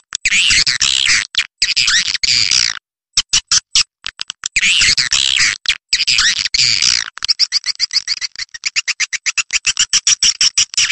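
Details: Roosting lure call of edible-nest swiftlets: long buzzy, chattering twitter phrases broken by rapid clicking, ending in a fast run of sharp ticks repeated several times a second.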